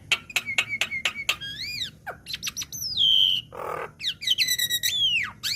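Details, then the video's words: Young black-winged myna in a training recording: a series of sharp downward strokes, then arched whistles, a long falling whistle near two seconds in, a short harsh rasping burst, and closing stacked whistled arcs. "Masteran Burung Jalak Kebo Bahan / Jalak Kebo Muda | Pancingan Jalak Kebo"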